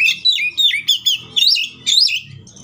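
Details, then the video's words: Oriental magpie-robin singing an agitated fighting song meant to provoke rival magpie-robins into song; rapid, varied whistled notes with rising and falling slides, delivered in quick bursts, with a faint low hum beneath. "KACER GACOR NGEPLONG NGOTOT TARUNG FULL ISIN❗AMPUH BUAT PANCINGAN KACER AGAR BUNYI SEKETIKA EMOSI!"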